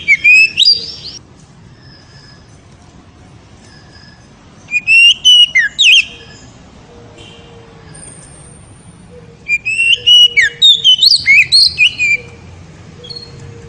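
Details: Oriental magpie-robin (kacer) in ngeriwik song meant to excite a female: three bursts of rapid, loud, twisting whistles and chirps separated by quiet gaps, with soft faint tones in between.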